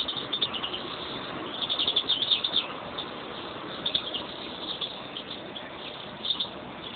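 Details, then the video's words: European greenfinches kept as a pair twitter in high, uneven chirps; a denser burst of rapid notes in the first half, then sparser chirps, all over steady hiss. "mis pajaros mi pareja verdum"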